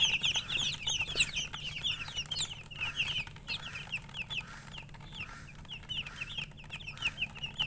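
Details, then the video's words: Several coloured chickens peeping nonstop: shrill, high chirps tumbling over one another, loudest at the start, over a faint low hum. "silly chicken chirping sounds"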